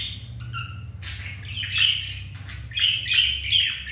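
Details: Budgerigar pair mating indoors after the male was rejected by a white grey hen; a few clear whistled notes then dense buzzy squawks rising in intensity, over a low electrical hum.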